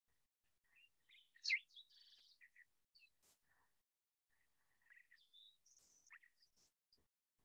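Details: Green-tailed Towhee recorded around Butte Meadows, high-elevation Butte County, sings two quick, high phrases of clear slurred whistles mixed with short buzzy notes, about two seconds apart; its song resembles a fox sparrow's. Quiet background.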